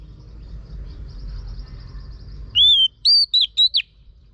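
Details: A female Oriental magpie-robin prompts a male to sing with one phrase of five clear whistles. The first notes are long and arched, the last ones short and rising, after a quiet lead-in.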